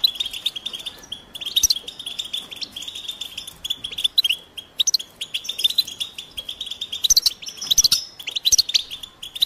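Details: Collective twittering of wild European goldfinches. These mating calls are meant to rouse quiet males into song. Sharp, tinkling chips and liquid twitters come in bursts, with louder clusters around the second, fourth and eighth seconds.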